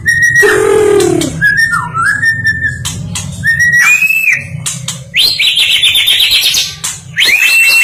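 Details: White-rumped shama, a national champion stone magpie, singing a rich varied song: a low downward-swooping note, wavering and rising whistles, then bright high trills and rapid chirps, with a faint low hum beneath.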